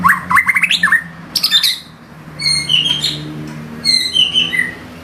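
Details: White-rumped shama shooting 'gacor' 'isian' fill-in phrases: a quick run of rising whistled notes, harsh high chatter, then clear piping notes in pairs, with low hum behind.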